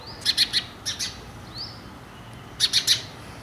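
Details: An Indian house sparrow (Passer domesticus indicus) gives quick bursts of two or three bright, clipped chirps, with a pause between groups, over a soft background hiss.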